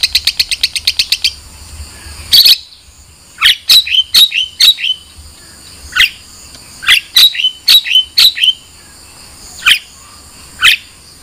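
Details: Long-tailed shrike: a fast high trill opens, followed by a loud harsh burst, then paired sharp chirps with short downward tails, repeated at irregular intervals.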